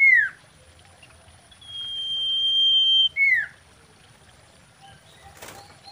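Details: Mating song of a common iora, described as a female and used to lure birds: a falling slurred note, a long, flat, high whistle lasting over a second, then another downslur, with a brief rustle near the end.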